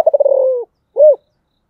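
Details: Spotted dove in the giọng thổ style: a rapid stuttering roll that smooths into a long, slightly falling coo, then after a short gap one rounded, arched note.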